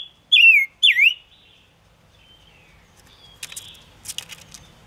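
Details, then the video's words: Five-coloured bird (Gouldian finch) song used as a trapping lure: two loud, clear whistled notes that dip and then level off, followed by faint scattered chips and soft chirps. "Tiếng ngũ sắc hót chuẩn 2022 dùng bẫy ngũ sắc hiệu quả"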